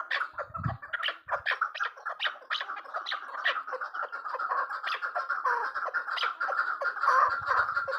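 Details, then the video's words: Calls of a female chukar partridge: rapid, scratchy chuck notes tumbling over one another, building into a dense, continuous chattering run toward the end, with a brief low thump near the start. "Sound of partridges birds chakor keklik کبک الحجل zark چکور"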